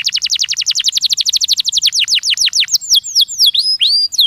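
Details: Canary singing to stimulate juveniles: a quick even trill of descending notes, about seven per second, slowing into longer swooping whistles that dip and level off.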